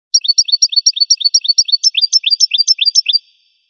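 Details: Steady goldfinch trill: paired high chirps repeated about six times a second for three seconds, the later notes rising slightly in pitch, with nothing else audible.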